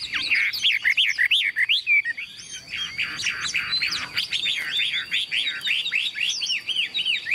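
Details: A tame, newly acquired caged Chinese hwamei with yellow legs and bill sings while hanging up: a fast stream of loud, varied whistled notes and slurred rising and falling phrases, dense and almost unbroken throughout.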